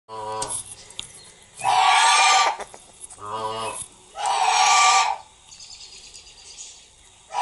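A Quaker parrot gives two loud, harsh, raspy screeches a couple of seconds apart.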